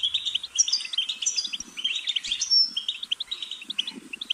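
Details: Goldfinch song of quick tinkling chirps with a drawn-out thin whistle midway, then more clipped twitters; faint low rustling underneath.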